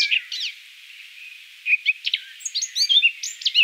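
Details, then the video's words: Eurasian Blackcap singing: scattered, varied warbling notes, some quick and sliding, with a quieter pause midway, then a denser run of bright chirps and twittering phrases. "Eurasian Blackcap (Sylvia atricapilla)"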